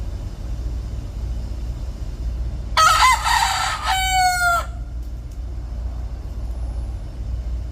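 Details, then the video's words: A city rooster gives one loud, harsh crow lasting about two seconds, rising then drawn out at the end, over a low steady hum of traffic; finding: Chicken. "City Rooster Crowing"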